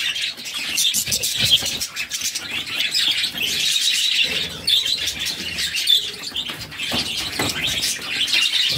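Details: Budgerigar chicks, six in the brood, being fed by their mother: dense, raspy, high chattering and squeaking that runs almost continuously, with overlapping harsh notes and brief fluttery bursts.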